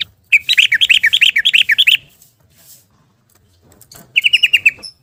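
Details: Yellow-vented bulbul singing in the rapid 'ropel' style, used as a lure to get silent caged bulbuls singing again. A fast run of about fourteen bubbly, slurred notes lasts 1.5 seconds, then faint chirps, then a shorter burst of similar notes.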